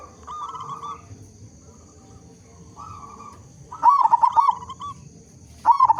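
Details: Local zebra dove with a strong voice, played to prompt other zebra doves into song. Soft far-off coos open, then a loud rippling coo phrase of several quick notes, and a second phrase begins at the end.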